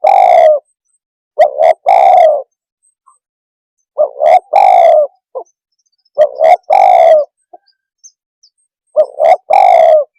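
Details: Spotted dove call, used to provoke other birds: phrases of two short coos followed by a long, drawn-out harmonic coo near the mid-low range, repeated roughly every two to three seconds with clean silence between.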